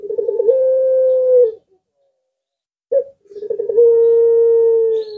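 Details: Puter pelung collared dove, a bird whose voice is said to make other doves and even other kinds of birds answer: a rolling stuttered opening runs into a long, steady, low held coo, then a second call begins after a pause.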